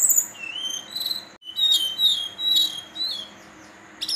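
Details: Young male brown-chested jungle flycatcher, a fledgling about three to four months old in Banten, giving soft high whistled notes and slurred phrases with pauses, over steady low background hiss.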